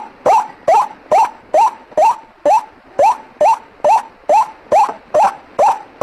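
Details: White-breasted waterhen (ruak-ruak) lure call: about fourteen harsh, nasal notes in six seconds, each with a sharp rising start, repeated steadily a little over twice a second, with no other sounds.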